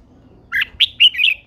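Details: An old wild-caught female red-whiskered bulbul, kept to stir males into singing, gives a quick burst of three or four rich, warbled notes looping around a bright mid-high pitch, with a quiet background.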